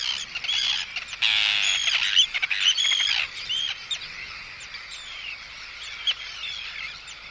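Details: Close anxiety and threat calls from Arctic terns at an intruder: a loud, rasping cluster of harsh screeches early on, then many overlapping chattering calls that fade somewhat toward the end.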